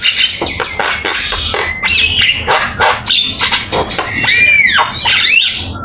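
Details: Javan myna song full of fill-in phrases, used for training other birds: scratchy chatter broken by thin whistles and a looping, warbled whistle near the end.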